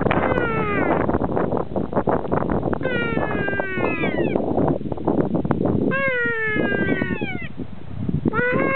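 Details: Kea in New Zealand at the Punchbowl Falls carpark, Arthurs Pass, answering a person's imitation of its call: drawn-out, falling wails with a nasal, mewing tone, given in several bursts over steady rushing background noise.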